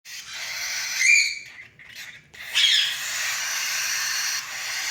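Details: Cockatiel chicks crying for food: harsh, raspy hissing bursts, two louder surges separated by a brief quieter gap, then a steady wheezy rasp.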